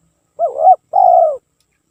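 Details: A spotted dove, recorded as a lure, gives a single two-part coo: a wobbling, bending opening note, a short gap, then a drawn-out, level, hollow coo that trails downward. Quiet background.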